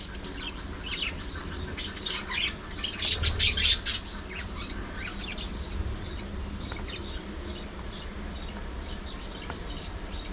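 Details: Several pet parakeets singing, talking and squabbling: scattered thin chirps, then a dense knot of buzzy chattering notes in the middle, tailing off into sparse chirps against a steady low hum.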